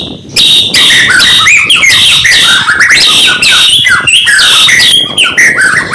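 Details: Morning oriental magpie-robin (murai batu) song used to provoke opponents: loud continuous rapid series of repeated downslurred whistled notes, dense and rhythmic, about three per second.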